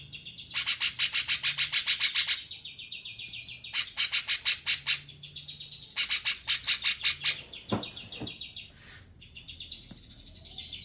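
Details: Cucak jenggot-style singing in three harsh, buzzy bursts of rapid high notes, followed by a few scattered sharp calls and quieter chatter.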